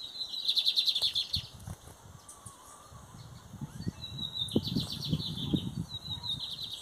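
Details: High, rapidly pulsed trills from a lined seedeater at a 2023 competition pitting Metálico against Torneiro singers, heard in two bursts with a gap between them, over low murmuring voices and rustling.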